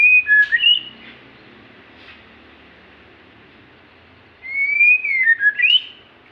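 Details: Magpie-robin whistling: a phrase ends with an upward flick, a quiet pause follows, then a new long rising-and-falling whistled phrase closes on a sharp upswing.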